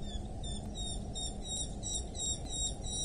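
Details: Eurasian hobby (Falco subbuteo) at a wild nest in rural Dorset, England, 8 July 2024 around 07:55, giving thin, high, sharp notes about three times a second over a steady low rumble of wind or background noise.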